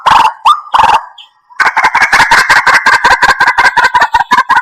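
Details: White-breasted waterhen call played to lure birds for trapping: a few harsh croaks with rising squawks, a brief pause, then a fast run of clipped, chattering notes repeated nearly three times per second.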